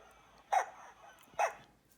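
A pelican gives two short, harsh, bark-like calls about a second apart, rough and gruff like a small dog's yap, over quiet background.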